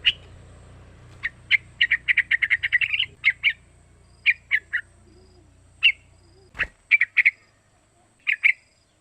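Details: Call of a young sooty-headed bulbul, about three months old, used to provoke other bulbuls into singing and for young birds to imitate: short bright chirps, in a quick rattled series at first, then spaced pairs, over low hum.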